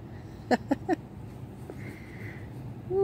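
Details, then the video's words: Sandhill Cranes bounce and dance in a short display outside a house. One gives three quick, loud, rattling notes in under half a second, then falls quiet over a steady background hiss. "Sandhill Cranes bouncing and dancing. A little calling, too."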